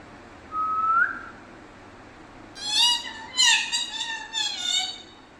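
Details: Pet parrot talking in Malayalam: a brief rising whistle first, then after a pause three bursts of raspy, voice-like chatter rich in high overtones, lasting about three seconds.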